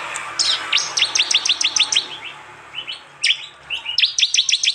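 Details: Loud 'tembakan' song of a prinia from East Java, phone-recorded and mixed into a tutor track for songbird training. Dense series of quick, high, downward-swept chips, about three per second, with a brief pause midway.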